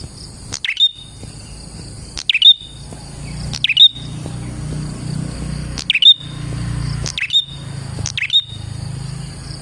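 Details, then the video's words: Prinia song played to lure prinias: sharp high whistled flicks with short sliding tails, spaced about two seconds apart, over a faint low rumble and a constant high-pitched ringing hum. "KICAU BURUNG PRENJAK GACOR ini Manjur untuk PIKAT PRENJAK dan PANCINGAN PRENJAK KLAWU"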